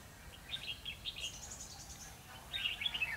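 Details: Red-whiskered bulbul heard during a bird-trapping session on 12 November 2016; two bright, warbled phrases of quick, slurred whistled notes, the first near the start and the second near the end, over a steady low background hiss.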